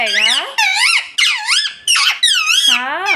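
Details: Talking parrot giving six loud, harmonic, squeaky word-like phrases in quick succession, each bending up and down in pitch, with no other sounds.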